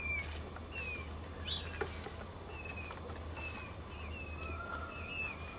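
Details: Peafowl chick on its third day of life, on a porch, calling its mother, gives thin, high whistled peeps, each brief and gently arched, about one a second, over a steady low hum.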